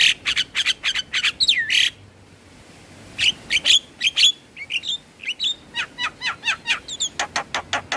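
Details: Black-winged starling song played daily to encourage stressed caged birds: rapid harsh clicking notes, a brief silence, then metallic whistles and a fast even series of sharp chips.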